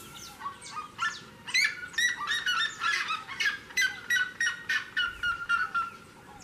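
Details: Seriema song recorded close to a house door: fast, excited yelping barks tumbling over each other, building to a loud burst and then settling into evenly spaced sharp yelps roughly three per second.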